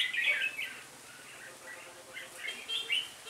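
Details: Caged red-whiskered bulbul acting as lead decoy to draw in a flock during trapping, 26 November 2017: sharp chirping bursts at the start and end, with softer twittering between.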